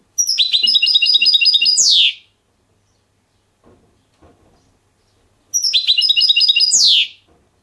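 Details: Trained captive European goldfinch singing a clean silvestrismo song in the Diego Murcia and Zujareño styles: two bright phrases of rapid, evenly repeated high tinkling notes, each closing with a sharp descending sweep, separated by a quiet pause with faint low knocks.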